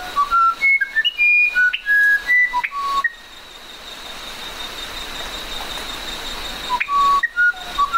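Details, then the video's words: Musician wren giving its melodious song, a quick run of pure whistles jumping up and down in pitch, followed by a few seconds of quiet background hum before another whistled series. "SONIDOS del CUCARACHERO MUSICAL"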